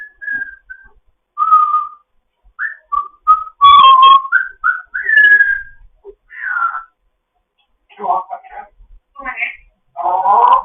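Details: African grey parrot kept in foster care, morning chatter: a flowing series of short whistled notes at varied pitches, some sliding, mixed with choppy speech-like mumbles and squawks.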